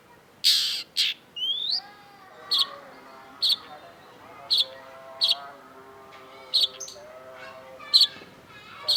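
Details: Long-tailed shrike (cendet) singing: opening harsh scratchy notes and a rising whistle, then a string of short high chips repeated roughly every second, with a soft warbling undertone of another bird.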